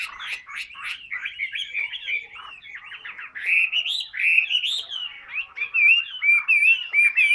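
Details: Caged hwamei sings a varied medley, softer mixed warbling early on, then louder rising whistles and finally clear, ringing repeated notes near the end.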